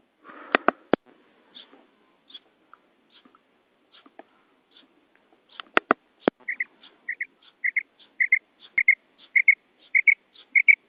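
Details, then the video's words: Female quail from Uzbekistan, used in hunting: opening clicks and handling noises, then a run of paired soft two-note calls repeated roughly every half second to the end. "Urg'ochi Bedana Ovozi 2026 | Ovchilik | Uzbek Quail Sound / Batair Sound"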